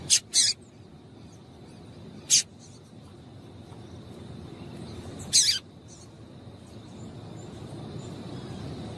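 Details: Sharp high chips from a female double-collared seedeater, given to excite males into singing; a quick pair of notes, then single and double chips at irregular gaps, with soft low background rumble.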